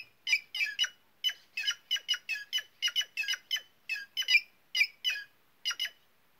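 White-naped jay giving a rapid string of about twenty harsh, nasal squawks, roughly three per second with brief pauses, over an otherwise quiet background.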